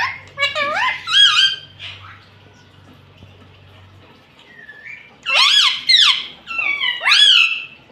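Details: Household ring-necked parrot mimicking words like Mummy and Papa; nasal looping syllables, a low hum underneath at first, a pause with a faint tone, then three strong arched squawky notes.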